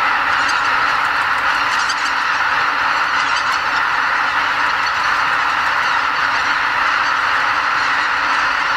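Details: Pre-dawn roost departure of greater white-fronted geese at Lake Miyajimanuma wetland, Bibai, Hokkaido, on northward spring migration. A constant droning chorus of countless honking geese, with brief sharper calls rising above the mass.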